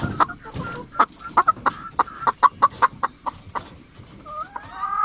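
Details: Chickens in a coop: a series of sharp, short clucks roughly every quarter to half second, then a couple of longer rising calls at the close.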